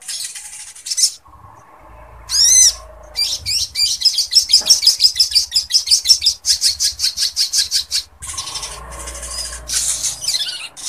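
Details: A singing sogon gives lovebird-style imitation: shrill, high chattering of about three notes per second, with sharp trills and whistled sweeps over a low hum.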